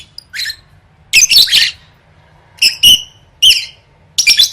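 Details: Lovebird singing, used as training for singing competitions: short harsh chattering bursts with squeaky high notes, spaced by pauses of about a second, in a quiet indoor setting with faint low hum.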